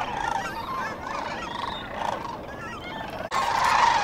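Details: Sandhill cranes at daybreak by the Cosumnes River: a busy mix of hoarse, rolling calls from a crowd of birds, with a brief break and then a louder burst of calling near the end.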